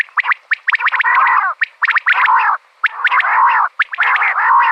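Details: A female common quail, used as a hunting call, gives quick bursts of sharp clicking notes that run into low, wavering, purring trills, repeated about once a second.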